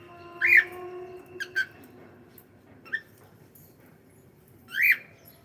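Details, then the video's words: Pet cockatiel making a loud, rising-falling screechy call, a few short chirps in between, and a second drawn squawk after a pause; a faint steady tone runs beneath at first. "cute Cockatiel sound"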